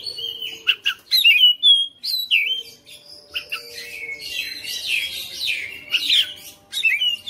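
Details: Caged white-rumped shama, a house-kept fighter bird, singing a loud varied song: whistled notes swooping and rising, interspersed with sharp chips and imitated phrases, dense bursts toward the end.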